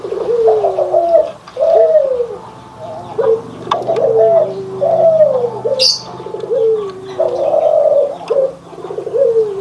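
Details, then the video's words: White and brown Barbary doves compared by their coo: about seven rhythmic, gurgling low coos at steady intervals, each dipping at the end, with a single high chirp midway. "PERBEDAAN SUARA ANGGUNGAN BURUNG PUTER PUTIH DENGAN PUTER COKLAT"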